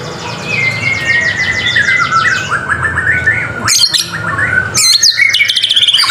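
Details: Murai batu masteran song of a white-rumped shama: a long fast buzzy trill sliding slowly downward, then sudden loud sharp chips and squeaky bursts separated by brief pauses.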